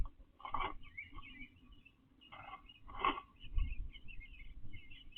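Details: Backyard male eastern bluebird building a nest in nesting season, 29 April 2025, taking pine straw from flower beds; short burbling warbles come in loose bursts, with a few louder notes and low bumping underneath.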